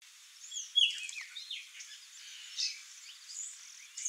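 A male Swallow Tanager gives thin, high-pitched chips and squeaky slurred notes at an irregular pace, over a soft hiss of background noise.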